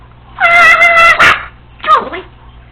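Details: Female Congo African Grey parrot alone at home, practicing copied household sounds: a loud, steady harmonic squawk-like note held about a second, then a shorter falling nasal burst, over a low electrical hum indoors.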